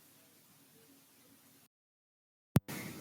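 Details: Faint low background hiss gives way to silence, then a single sharp click and a burst of noise, with no animal sound.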